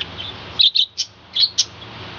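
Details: Balcony-kept budgerigar colony in the morning, giving a quick run of bright, high chirps, two close together, a pause, then two more, against faint background hiss.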